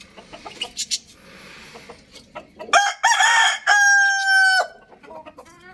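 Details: Young rooster crowing loudly, one of two birds: brief clucks lead into a full crow of two strong sustained harmonic phrases, the second held nearly a second at steady pitch, then soft clucking.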